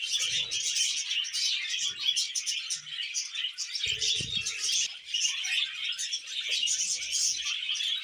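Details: Breeding budgerigars during mating: a long, dense twittering warble with sharp chirps over it, and a few low thumps and rustles.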